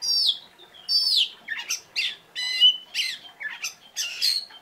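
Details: Sharp, loud phrases from an Oriental magpie-robin singing with gusto: descending whistled slurs followed by harsh, scratchy chirps in quick succession, each note about half a second apart.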